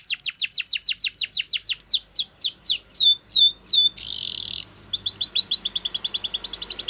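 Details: Spanish Timbrado canary singing a champion training song: a long series of quick descending sweeps, a short harsh buzzy burst, then a fast rattling run of clipped notes.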